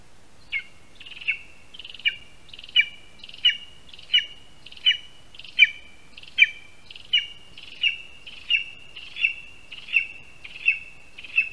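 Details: Repeated piercing yelps from a Lesser spotted eagle at its Latvian spruce-tree nest during a prey handover of a rat, afternoon of 22 August 2021; about sixteen high, slightly hoarse notes at a steady rhythm under a faint hiss.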